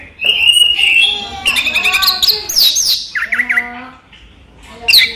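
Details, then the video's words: Daytime song of a caged orange-headed thrush: a long steady whistle, then rattling trills, harsh squeaky notes and quick downslurred whistles, ending in a bright sharp burst. "ANIS MERAH SI RAJA TELER"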